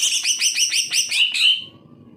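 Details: Greater green leafbird singing, as a tutor for birds lazy to sing: a rhythmic run of about seven downslurred harmonic chirps, ending with a clear whistled note before quiet.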